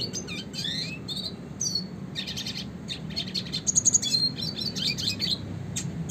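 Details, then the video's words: Red siskin in classic rolling style, recorded for songbird training: dense, fast twittering with high chirps, quick rising slurs and brief buzzy trills, forming a nearly continuous chattering stream over faint low background hum. "kicauan suara burung red siskin klasik gacor untuk pancingan dan masteran burung berkicau"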